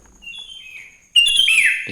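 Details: Sooty-headed bulbul singing in the morning, a lively song meant to prompt other bulbuls to sing: faint chirps, then a sudden loud burst of bubbly, slurred whistled notes near the end.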